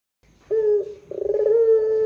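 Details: Barbary dove pelung-style coo, used as a lure call: a short mellow note, a brief pause, then a rolling stutter that smooths into a long steady hoot held to the end.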